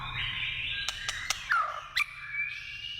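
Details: White-rumped shama in the wild: sustained whistled tones overlapping, several sharp clicks, a descending slurred note mid-way and a rising whistle near the end, low rumble underneath.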